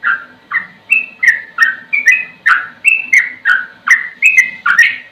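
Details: Sooty-headed bulbul singing a slow song with ropel runs: a steady series of loud, liquid whistled notes, rising and falling, about three per second.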